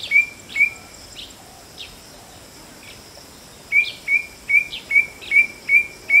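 White-bellied drongo giving short, clear whistled notes, a pair and then a quick run of about seven at a steady pace, over a constant high insect hum.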